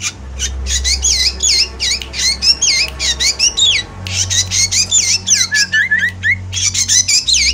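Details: A Javan black drongo pours out a full, emotional chattering song meant to draw in moulting birds: rapid wavy whistles alternating with rasping noisy blasts, barely pausing, over a faint low hum.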